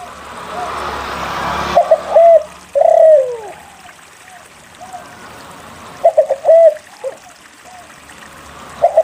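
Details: A frequent-singing spotted dove meant to prompt other doves to sing. A burst of broadband noise opens the recording, then come clusters of short mid-pitched coos and a long falling coo. A later phrase repeats the pattern.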